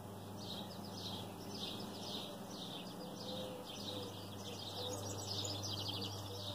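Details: Birds singing in the morning, several buzzy, chirping phrases high in pitch repeated through the clip over a steady low hum and faint background noise.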